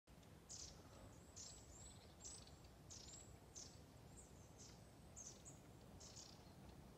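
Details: A flock of long-tailed tits along the Ljustorpsån river, Medelpad, Sweden, on a calm August morning (20 August 2020) gives very high, thin, slurred calls, scattered and overlapping every half second or so, over rushing water.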